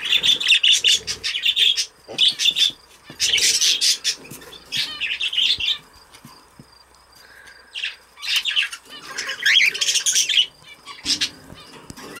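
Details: Pet lacewing budgerigar delivering bursts of raspy, buzzy warbling and squawks, with quick chirps and clicks, broken by a quiet stretch midway before more chattering; some soft fluttering between bouts.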